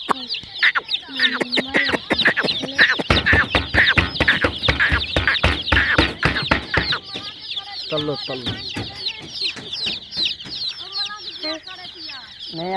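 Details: Colourful baby chicks of a hen chirp in a dense, shrill chorus, heavily mixed with fast clattering clicks and knocks in the first half, then clearer peeps with a faint voice.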